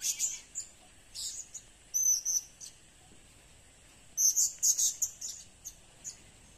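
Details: Serindit, the blue-crowned hanging parrot, calling as a lure: clusters of shrill, very high squeaky chirps in short bursts separated by pauses, with a quiet hissy background.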